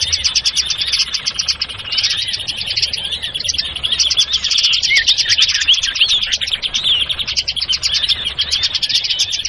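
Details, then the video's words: Lure recording of sirtu birds used for trapping. Many high chirps and tweets crowd together in a constant, restless chatter, with short rising and falling notes mixed into the din. "Suara PIKAT burung Sirtu anti gagal"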